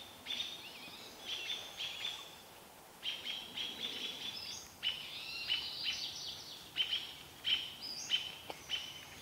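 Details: American robins scolding a barred owl in the Vancouver area: short, sharp, high chips in irregular bursts, one louder run after a quiet gap, with other faint bird notes behind.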